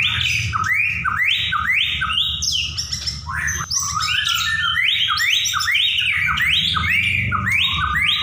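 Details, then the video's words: White-rumped shama, a contest-class singer, in non-stop song: rapid varied whistled phrases with rising and falling sweeps around two to four kilohertz, about two per second, over a steady low hum. "murai ngacor ll macet NYAUT ll murai juara"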